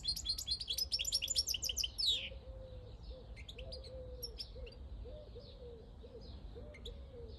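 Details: European goldfinch in the countryside, 2022, pours out a fast burst of high twittering song that ends in a downward sweep. Thin chirps follow while a dove coos repeatedly in the background.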